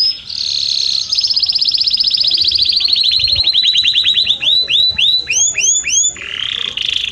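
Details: Belgian canary long song used to teach birds the fast song: a dense trill of rapid notes slowly falling in pitch, breaking into separate arched whistled notes repeated about twice a second, ending in a buzzy roll.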